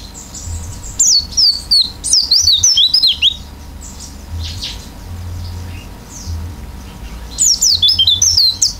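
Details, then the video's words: Oriental white-eye giving a fill-in style song: rapid high twittering whistle phrases in bursts at the start and end, with a quieter middle of faint chirps and low background hum. "pleci gacor isian buka paruh"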